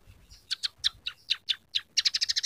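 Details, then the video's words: Scaly-breasted munia (local name emprit peking) singing actively, its song filled with canary, sparrow and red siskin sounds: paired harsh chips every quarter second, then a fast run of seven buzzy notes. "masteran burung emprit peking gacor isian suara kenari kasar"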